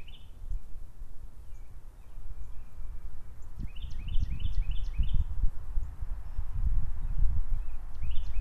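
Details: American goldfinch at a bird feeder calling in quick series of short, high, upslurred notes, four or five in a row, repeated twice, over heavy low rumbling wind noise and rustling.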